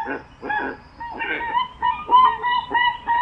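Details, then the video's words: A crested guan (Penelope purpurascens) gives loud, nasal honking calls in quick bursts, about two per second, some harsh and others clearer and ringing. "Canto de la Pava Cojolita"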